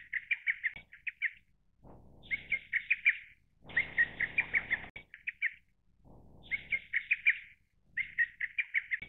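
A lesser cuckoo repeats quick staccato phrases of five to eight sharp notes, each about a second long, over bursts of low rushing noise.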